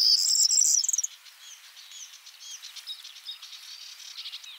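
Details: Male corn bunting singing from a twig in the Czech Republic, Central Europe, filmed on a Panasonic GH5S with a Rode shotgun mic: a loud, high, jangling burst of rapid repeated notes for about a second, then faint scratchy chatter.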